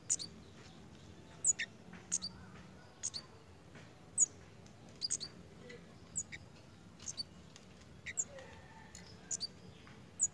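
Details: Pied fantail in breeding condition, behaving playfully. Scattered, sharp, high-pitched chips and short squeaks are spaced unevenly, sometimes paired, over a soft, steady background noise.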